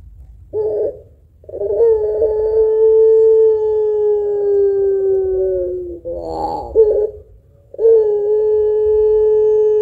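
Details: Long cooing from a spotted dove of the pelung style, with thick kuwok notes, kept as a lure to stir other birds to sing. Extended steady low tones lasting several seconds, broken by brief wavering bursts and pauses.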